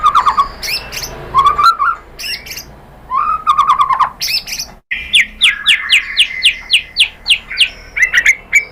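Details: White-rumped shama singing to stimulate other birds: short warbled phrases separated by pauses, then a long sequence of rhythmic, evenly spaced sharp notes, about three or four per second.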